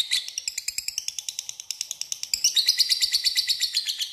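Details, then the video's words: A lovebird's extended ngekek rattle, a call for luring a rival: rapid harsh pulses, a little spaced at first, then speeding into a tighter, louder chatter with a thin whistled tone running through it. "LOVEBIFD DIAM CUKUP SEKALI DENGAR AKAN IKUT NGEKEK PANJANG PANCINGAN LOVEBIRD"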